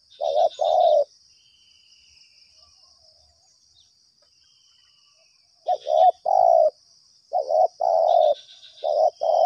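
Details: Spotted dove being lured in two yards, calling eagerly: a burst of low, hoarse two-part coos, then a pause, then further repeated coos, with a faint steady high hum.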